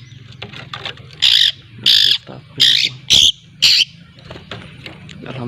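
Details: Long-tailed shrike (cendet) from Lampung learning to sing (ngriwik), used as a lure; five loud harsh, buzzy notes about half a second apart over softer scratchy chatter.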